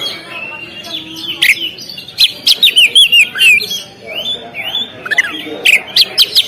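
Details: Oriental magpie-robin on a contest stand sings a rich medley of sliding whistles and sharp notes, with a rhythmic series of loud chirps near the middle.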